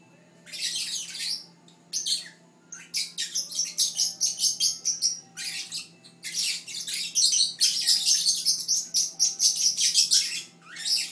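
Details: Chirpy Fischer's lovebird calling nonstop beside its siblings: rapid, scratchy high-pitched chirps, roughly two or three per second, in long continuous runs broken by a short pause, over a low steady background hum.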